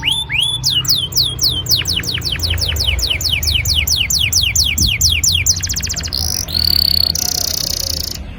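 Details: Canary song used as a lure to get young canaries singing: fast rolling trills of rising whistled notes, runs of repeated sweeps shifting into buzzy and sustained high tones near the end, over a low background hum.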